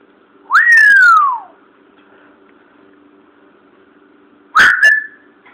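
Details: Indoor pet Timneh African grey parrot, aged 14, chatty after moving to a new house; one loud, long whistle arching up then gliding down, a pause with faint hum, then a short harsh squawk.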